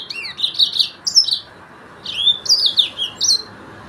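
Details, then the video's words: Yellow-fronted canary, known in Arabic as the Sudan finch of Mozambique, singing high, sweeping twittered phrases in two bursts separated by a brief pause, over a faint steady background hiss. "تغريد فرخ السودان موزمبيق"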